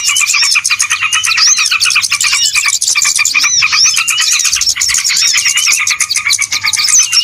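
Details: Many small birds on a lure recording for bird trapping, chattering nonstop with sharp chips, short whistled slurs and rapid twitters all overlapping in a noisy flock chorus.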